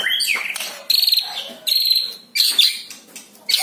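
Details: White-rumped shama song for luring a caged bird to sing: high, buzzy trilled phrases delivered in separate bursts with short silent gaps, plus a faint descending whistle.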